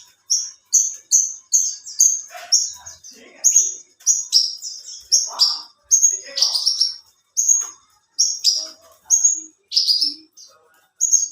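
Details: Branjangan of the alinea sort singing at length: rapid high whistles mixed with rougher, buzzier notes, irregular pauses between bursts, and light scattered lower twitters.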